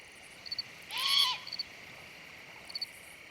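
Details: A young great horned owl lets out a single harsh, hissing screech of about half a second on a warm, still, near-full-moon night in late September along Nebraska's Niobrara River, over steady hiss with faint brief high chirps.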